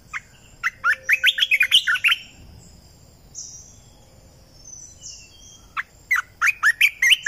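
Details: Red-eyed bulbul singing two rapid phrases of bright, jumbled chirping notes, about a second and a half each, separated by a gap of roughly three and a half seconds in which faint high thin whistles sound in the distance.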